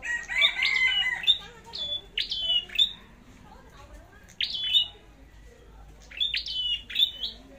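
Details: Red-headed flowerpecker in competitive singing: bursts of thin, high, sharp notes that dip steeply then hold a flat whistled tone, delivered in clusters separated by pauses of one to two seconds, with faint low voices underneath.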